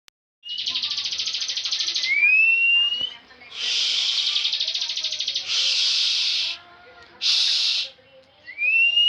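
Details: Bar-winged prinia, a competition songbird that often wins national contests, singing constantly in full ngebren style: long, dense buzzy trills alternate with bright upward-sliding whistles, each burst lasting one to two seconds.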